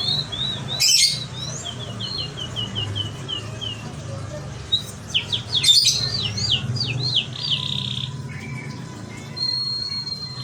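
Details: Song of a local canary in merlok style: a quick run of short whistled notes, then a cluster of chirps and sharp clicks, ending in a long level whistle, with a steady low hum underneath.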